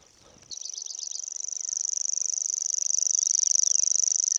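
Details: A Common Grasshopper Warbler reels nonstop for minutes by the Vistula near Gdańsk on 20 June: a high, dry, insect-like trill that steadily grows louder, with a few faint notes from another bird near the start.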